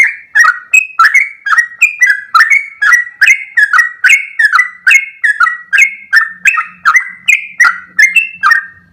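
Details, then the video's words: Energetic ropel song of a sooty-headed bulbul: a long, unbroken series of liquid whistled notes, several per second, varying in pitch. A soft low hum joins in the second half. "full suara Trucuk gacor ropel panjang"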